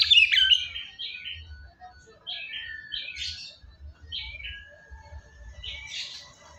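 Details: White-rumped shama, a murai batu, recorded to coax a quiet bird into singing: loud scratchy notes open, then short whistled phrases sliding down, separated by pauses, over a soft low hum.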